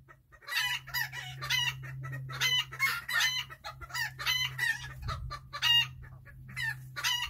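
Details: Chickens relaxing through the day, with rapid strings of sharp clucks and brief nasal squawks repeated almost continuously, a low steady hum underneath and one soft thump near the middle.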